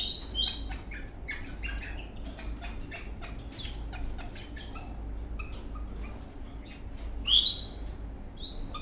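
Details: Eastern rosella parrot dancing in a happy mood, giving high sharp whistled notes at the start and near the end between scattered short chirps, over a steady low hum.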